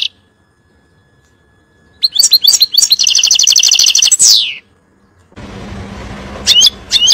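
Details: European goldfinch song meant for teaching chicks. Twittering notes build into a fast, even trill and a sweeping descending note, then a hissy noisy stretch with a couple of high chirps.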